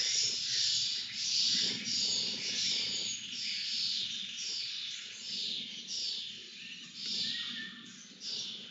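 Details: Lesser kestrel being fed, calling with hoarse, hissing, high-pitched rasps in short bursts about every second, some notes slurred, over a soft low hum.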